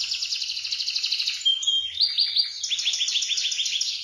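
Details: Vigorous canary tutor song in rolling, high-shooting style: a fast buzzy high trill gives way to a clear pure whistle, then a rolling series of quick descending notes.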